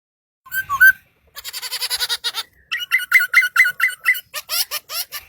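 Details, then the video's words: Bird song, loud and close: a few slurred whistles, then a fast buzzy series of harsh notes, then a run of repeated downslurred whistled notes about five per second, ending in rasping chatter. "Singing bird"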